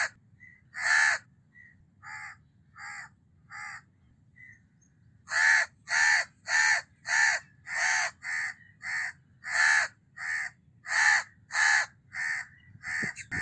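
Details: House crow giving a long series of harsh caws: softer, clipped notes at first, then a loud run of hoarse caws about twice a second, breaking off and resuming near the end.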